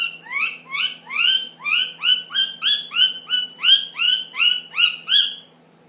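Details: A 10-month-old pet ring-necked parakeet making funny noises: a loud, steady series of short, bright, upward-sweeping chirps, about thirteen in under six seconds, evenly spaced and ringing with overtones, then silence.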